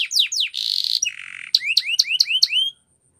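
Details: Canary song for training: two falling sweeps, buzzy rolls at a high and then lower pitch, followed by five bright rising upslurred notes in quick succession.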